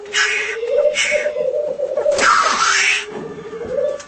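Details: Black grouse displaying in home footage: low bubbling rookooing underlies three rasping hisses, one early, one soon after and a longer one in the middle.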